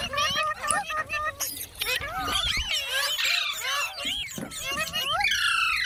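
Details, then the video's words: Talking parrot ("mitthu") chattering in rapid, speech-like phrases mixed with shrill whistles and squawks, several bursts per second, with overlapping bird calls throughout. "Amazing parrot talking |Parrot sound | Parrot voice | Tote ki Awaaz"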